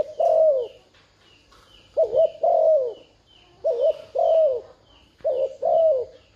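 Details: Decoy spotted dove cooing to attract wild doves, three quick phrases of a warbled double note and a longer falling coo, over a background of repeated high thin chirps from other small birds.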